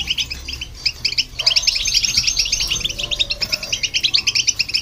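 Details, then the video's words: European goldfinch singing alongside a hybrid, played to stir other birds into song; dense, rapid twittering of short bright notes, continuous over five seconds, with a faint lower drawn-out tone near the middle. "Goldfinch And The Hybrid To Hear And irritate The Birds"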